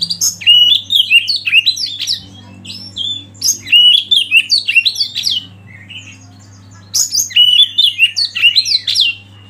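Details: Oriental magpie-robin song used to provoke other birds to sing: three loud bursts of fast, tumbling whistled and chattering notes, each a couple of seconds long, separated by short quieter gaps, with a steady low background hum.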